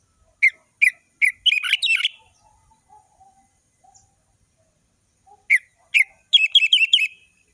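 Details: Orange-headed thrush delivering full-variation ngeplong song as tutor material for juveniles. Three evenly spaced sharp chirps lead into a quick tumbling cluster of notes. After a quiet gap the same pattern repeats: spaced chirps, then a rapid run.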